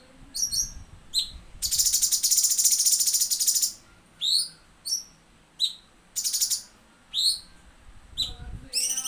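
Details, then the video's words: Cucak cungkok delivering full tembakan song for training other birds: bright high chirps and down-slurred whistles repeated roughly every second, broken by a two-second harsh buzzy trill and a shorter later burst. "masteran cucak cungkok full tembakan"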